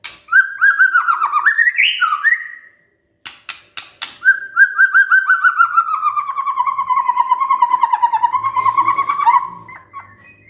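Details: White-rumped shama (murai), stirred up and responding, delivers long fast trills of repeated whistled notes, one phrase swooping upward, after a burst of sharp clicks.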